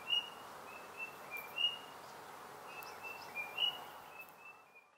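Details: White-browed robin-chat, or Heuglin's robin, in Mpumalanga near Kruger National Park, South Africa: soft high whistled notes, some rising, spaced irregularly, fading out at the end against faint hiss.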